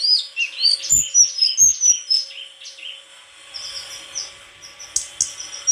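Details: White-throated flycatcher song: high thin whistled notes and short sweeping chirps, quickly repeated, at first loud and then softer, with a few faint clicks.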